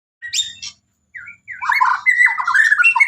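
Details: White-rumped shama singing: a short harsh high squawk, a pause, then a loud run of rich, varied warbled and whistled phrases that slide up and down without a steady rhythm.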